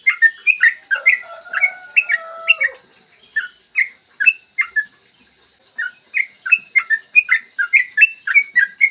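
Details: Morning recording of a yellow-vented bulbul singing a long 'ropel' song, played to encourage other bulbuls to sing. Quick liquid chirps run in dense bursts, with a lower drawn-out whistled phrase mid-way and a short pause.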